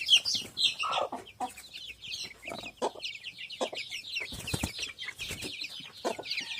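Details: Many native village chicks in a simple coop keep up a busy chorus of short, high, downward-slurred peeps, broken by a few lower clucking notes and intermittent thumps.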